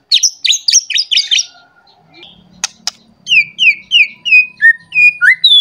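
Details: White-rumped shama seeking a rival in an agitated mood: fast high chattering notes, a pause with two sharp clicks, then a steady series of clear downslurred whistles about three per second.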